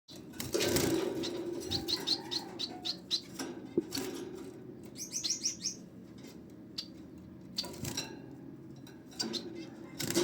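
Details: Society finch chicks calling: bursts of short, high, thin chirps in quick runs, with loud broadband rustling and flapping bursts between them.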